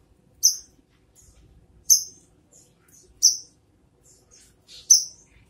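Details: Brown-throated sunbird calling with loud, high, sharp chip notes spaced about one and a half seconds apart, little else around but faint quiet chatter.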